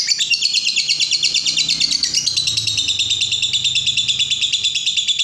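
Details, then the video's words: Ngekek, the long chattering trill prized in fighter lovebirds, played to make other birds reply: fast, even pulses of shrill notes form a continuous rattle, stepping down in pitch after two seconds, with a soft low rumble underneath. "Pancingan Suara Lovebird Ngekek Panjang, bikin Labet apapun nyaut dan Semangat Bunyi"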